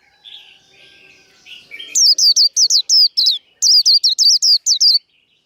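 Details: Fighting song ('líu đấu') of a kept white-eye for stirring up rivals. Soft warbled notes lead into a rapid string of about fifteen high, piercing, downward-sliding whistles, with a short pause midway.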